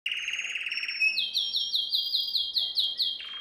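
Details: Canary song used for training canaries: a bright rolling trill leads into a high whistled note, then a fast series of sweeping repeated notes and a final piercing whistle.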